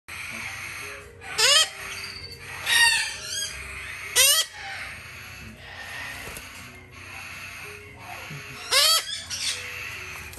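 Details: A young male red-shouldered macaw chick, still hand-fed three times a day, gives harsh, grating, upward-sweeping screeches in short bursts, four or five over ten seconds, against a low indoor hum.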